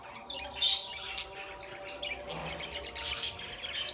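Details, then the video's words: Pet budgerigars giving sharp, high chirps and short squeaky notes, scattered through a steady faint background chatter, with a louder bright chirp near the end. "budgie sounds"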